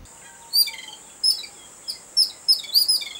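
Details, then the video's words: Babbler excited on seeing a cat, from a noisy bird that moves in groups of five or six; high sharp chirps in uneven bursts every half second or so over a steady high insect-like whine. "EXCITED BABBLER BIRD"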